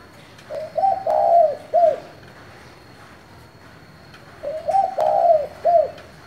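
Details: Spotted dove with 'thổ' voice style, calling to excite wild-caught doves. Two low three-part coo phrases about four seconds apart, each with short lead notes, a longer wavering coo, and a clipped ending, against faint hiss.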